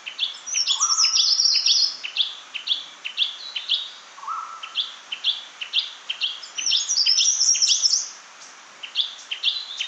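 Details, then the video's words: Chestnut-fronted shrike-babbler within a crowded run of sharp, high chipping notes, broken by two lower steady whistles and stretches of fast, dense twittering. "Tiếng chim Khướu Shrike, Khướu mỏ quặp cánh vàng"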